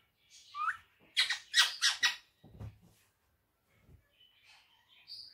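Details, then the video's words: Pet rose-ringed parakeet, described as a talking bird, letting out a burst of harsh, noisy squawks in a small room: four loud raspy notes close together, then a low thump and scattered faint squeaks and chirps. "my Mitthu saying Miyan Mitthu Churri Khani Hai"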